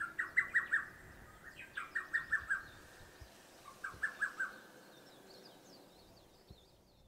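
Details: A lesser cuckoo sings from an exposed treetop on 1 June 2024, with several in the area, perhaps advertising more strongly: three rapid, emphatic phrases of five or six sharp whistled notes, each about a second long, over faint distant birdsong.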